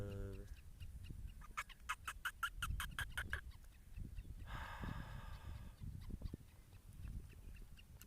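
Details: Captive old male black francolin, about 15-16 years, gives a rapid burst of harsh grating notes then a buzzy nasal phrase, calling excitedly, possibly unsettled by kites or hawks overhead; low rumbling handling noise and a brief deeper call.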